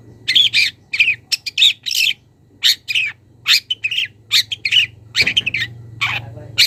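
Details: Young wild long-tailed shrike calling to a rival: rasping, buzzy squawks alternating with quick chirps, delivered in short separate bursts roughly every half second, over a steady low hum.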